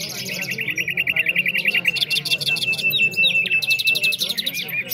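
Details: Nightingales competing in song in Afghanistan. A long, steady run of rapid identical notes is overlaid by other birds' loud buzzy rattles and high whistles, with faint human voices below.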